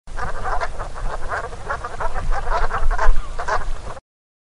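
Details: Brant geese foraging as a flock: a dense, continuous chatter of short, rough, guttural calls from many birds overlapping, swelling and fading without pause over a low rumble of background noise.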